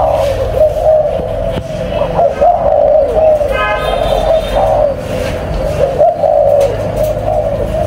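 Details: Caged spotted dove from a breeding pair giving low, mellow coos in short wavering phrases, with a man talking and a brief buzzy harmonic burst midway.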